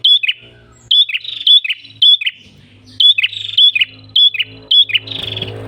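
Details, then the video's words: Red-headed tailorbird singing persistently, a recording meant for luring other birds: short high whistled notes, each ending in a quick downward slur, repeated in rapid bursts of about two per second, with a faint low hum beneath. "PRENJAK KEPALA MERAH GACOR SUARA NGALUN ENAK COCOK UNTUK PIKAT/PANCINGAN BURUNG ANDA"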